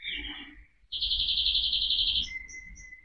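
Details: Quieter canary song over a background hiss: a harsh note, then a sustained rapid trill lasting over a second, followed by a few short high whistles.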